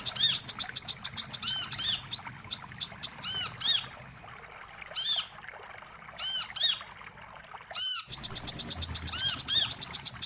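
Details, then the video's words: Wiceh calls played as a bird-trapping lure: bursts of quick high chirps alternate with separate down-curved, ringing notes and short quiet gaps, ending in another rapid chirping run. "suara pikat burung wiceh"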